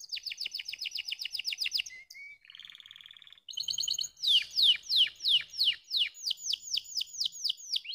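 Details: Song of a canary used to stimulate reluctant singers. A fast ringing trill leads into a low buzzy rattle, then loud, evenly spaced downward-sweeping whistles about three per second.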